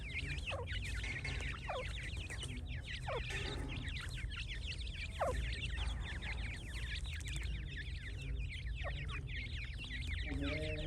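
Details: Constant twittering of a brood of francolin chicks, thin high peeps packed tightly and repeated without pause for about eleven seconds, with occasional lower, drawn notes beneath.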